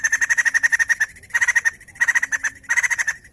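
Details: White-crested laughingthrush singing: rapid bursts of sharp, evenly spaced notes, about ten per second, in short runs separated by brief pauses, with a faint low hum behind.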